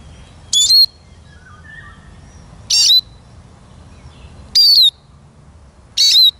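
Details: Eurasian siskin uttering four sharp chirps with thin descending whistle endings, about two seconds apart; faint lower whistles from another bird and quiet outdoor background.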